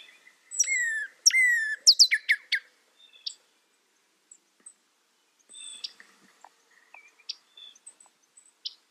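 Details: Northern cardinal singing: two long, loud, downward-sliding whistles, then a quick run of short slurred notes. Faint, scattered chirps and soft clicks follow in the background.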